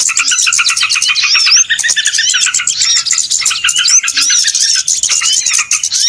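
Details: Small birds calling en masse in a trapping lure recording: thick layer of fast chips, a few clear upslurred whistles standing out, sound unbroken throughout.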